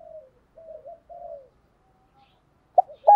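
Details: Spotted doves, male and female, cooing to stimulate captive birds in training: several soft, low, wavering coos, a quiet pause, then the start of louder sharp coos at the end.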